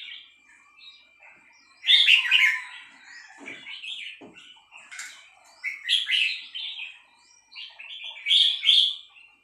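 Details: Female red-whiskered bulbul with a three-syllable song; several short, lively warbled phrases of liquid chirps spaced a second or two apart, and a couple of soft clicks in between.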